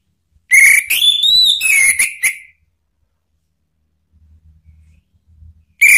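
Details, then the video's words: Male orange-headed thrush, Indonesia, singing ngeplong as a lure: a long whistled phrase that climbs, wavers high, then falls into slurred notes, followed by a quiet pause and the start of another phrase. "ANIS MERAH JANTAN SPONTAN ikut NYAUT NGEPLONG ¦ PANCINGAN AM ¦ TERAPI MACET"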